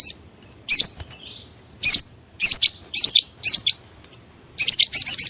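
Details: Trapping lure call of a sogon bird: high, twisting chirps in irregular bursts, speeding into a rapid string of five quick notes at the end.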